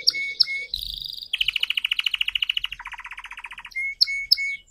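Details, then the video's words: Red canary practising its song as a learner: short whistled notes, then a rapid rattling trill that drops to a lower, slower trill, ending with clear whistles. "Kenari Merah Merona Belajar Gacor Berkicau"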